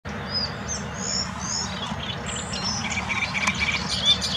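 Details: One of several great reed warblers singing in the palace park at Białowieża, Poland, on 13 May 2023: a run of high thin notes gives way to grating, repeated chattering phrases, over a steady low rumble of background noise.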